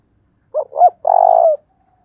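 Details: One clean lure-call phrase of a spotted dove, thúc bổi style with a thổ đồng voice: two brief hooting notes followed by a long, even, vibrating coo, on a silent background.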